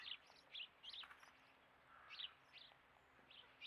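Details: Common blackbird in winter giving short, sharp, high chipping calls, repeated irregularly about every half second, some paired, over a steady background hiss.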